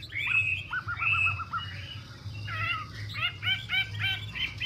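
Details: A female Chinese hwamei, fanning and dancing and fired up, sings loud, varied whistled phrases, including a quick run of repeated notes, then bright, rapidly repeated rising-falling motifs over a low steady hum.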